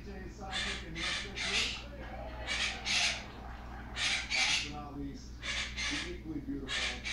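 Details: A pet monk parakeet, alone and unaware he is filmed, chatters in harsh, squawky bursts with speech-like babbling between louder notes, trying to sing a made-up song whose words he forgets.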